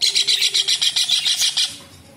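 A kingfisher gives a fast, shrill chatter of about a dozen sharp notes, roughly six a second, for under two seconds, then fades out.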